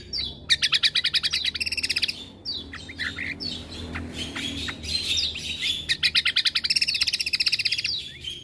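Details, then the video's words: Yellow-vented bulbul tutor recording: dense bursts of rapid, evenly repeated chirps, a jumbled chattering middle, then another long fast chirp run, over a constant low hum. "Masteran Cucak Kombo"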